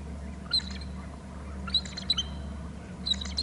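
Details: Bald eagle calling at a nest and territory camera on Hornby Island as it moves from below to the top of the babysitting tree: three brief bursts of high, thin chittering notes, separated by pauses, over a steady low hum.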